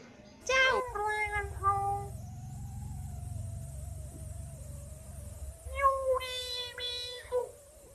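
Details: A talking common hill myna from Chiang Mai, Thailand, speaks Thai blessing phrases in short, harmonic, voice-like bursts with drawn-out nasal syllables, pausing between bursts over a low background hum.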